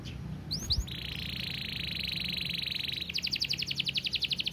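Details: Canary singing amid low background rumble: two quick upward slurs, a long even buzzy trill, then a fast series of repeated descending notes.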